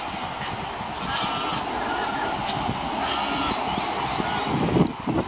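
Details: American white ibises with chicks in nests, in a noisy colony chorus: many overlapping hoarse, nasal honks and grunts run without pause, with a few higher cries near the end.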